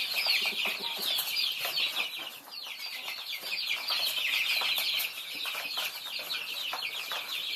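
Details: Thai chicks feeding, numerous chicks peeping nonstop in high, short, slightly falling notes, roughly three a second in the mix, with pecking clicks.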